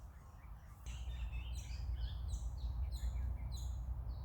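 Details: Swift parrots (Lathamus discolor) on 6 August 2024 give quick, high, metallic chirps in overlapping bursts, several notes a second, over a steady low rumble of wind or distant traffic.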